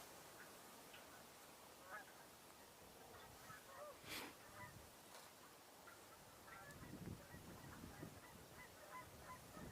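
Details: Canada geese honking in a loose, overlapping chorus of nasal calls, fairly distant, with wind rumble and a steady background hiss; winter, 2 January 2021.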